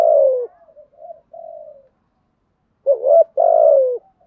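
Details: Spotted dove used as a decoy to lure wild doves, singing in the deep 'thổ' voice style with a structured cooing pattern: low, hollow, slightly falling coos in a short broken phrase, a pause, then a stronger double coo.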